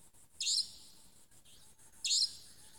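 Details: Savanna nightjar calling at dusk in Tmatboey forest, Cambodia, on 18 February 2018: two sharp, high, buzzy-hissed 'tchweep' notes about one and a half seconds apart, with quieter faint echoes between and light background hiss.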